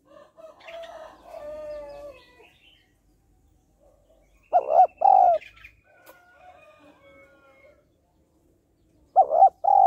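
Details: Female spotted dove calling to stir males: soft murmured cooing at first, then two clear pairs of deep, hollow coos separated by quiet background twitters.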